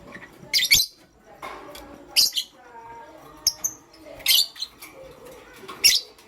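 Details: Morning chirping from pet lovebirds, pastel gray and green: harsh, high screechy notes about once a second, with short whistled slurs and softer chatter between them.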